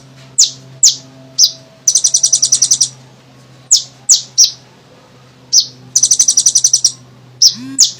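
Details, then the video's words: Sunbird, known locally as kolibri ninja, singing vigorously, used to lure other birds into singing: sharp high downslurred single notes alternating with fast buzzy rattling trills of about ten rapid notes, with a faint low hum beneath. "suara burung,kolibri ninja gacor"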